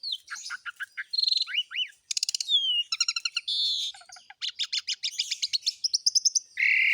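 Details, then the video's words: An Asian pied starling delivers a varied song: sliding whistles, a dense buzzy burst, rapid stuttering chip series, a few low notes, high thin trills and a closing harsh buzz. "KICAUAN BURUNG JALAK SUREN GACOR FULL ISIAN MEWAH"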